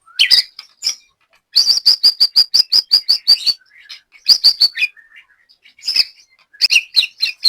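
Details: White-rumped shama kept in Banyumas, Central Java, singing at a joint training session; a fast string of sharp high chip notes, pauses, then scratchy twitters and a doubled note series.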